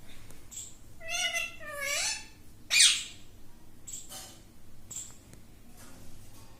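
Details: Pet parrot repeating "mittu" in a speech-like voice: two wavering, harmonic syllables that bend downward, followed by a loud rasping burst and softer clicks and scratches indoors.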